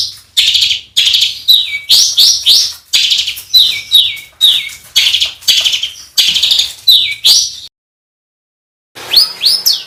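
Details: Songbird recorded as a training master for contest birds: repeated buzzy phrases ending in downslurred whistles, then a silent gap before rapid sweeping notes resume.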